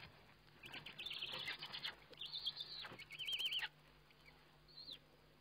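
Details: At feeding time on an owl webcam, 29 May 2011, a Eurasian eagle-owl gives high, buzzy chattering bursts with a wavering trilled note, then fades to a few faint squeaks.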